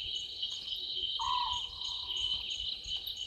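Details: A small owlet perched in a tree at a Djuma Game Reserve dam, South Africa, past midnight on 11/12/2023, gives one low, purring note with a sharp start and fading tail against a dense insect background.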